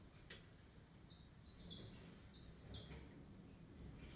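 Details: Yellow-fronted canary giving a few short, bright, buzzy high notes in scattered bursts about a second apart, with brief pauses between phrases, over a steady low background hum.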